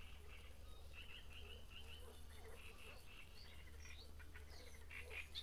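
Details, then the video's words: Great reed warbler at Grachevka, filmed near a nest, sings a harsh, croaking chatter of repeated grating notes in quick phrases, fairly faint over a steady low rumble. "Камышовка Дроздовидная"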